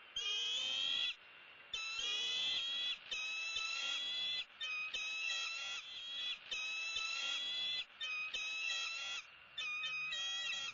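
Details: Bald eagle nest in Southwest Florida at sunrise feeding time, 2-6-16. A near-continuous run of shrill, strained whistled cries, about eight to nine drawn-out notes with wavering pitch and rich overtones, separated by brief gaps.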